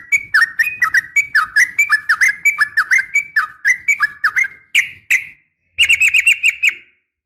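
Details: Female yellow-vented bulbul calling a male, a sharp fighting call used as a morning and evening training lure: quick chattering run of bright notes bending around a steady pitch, then a short pause and a faster burst of similar notes.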